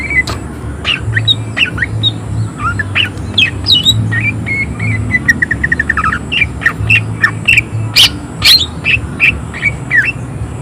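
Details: Greater green leafbird in full active song, delivering rough, harsh shot-like bursts with high emotion: a long, varied stream of short chirps, slurs and rapid descending trills, with a constant low rumble beneath.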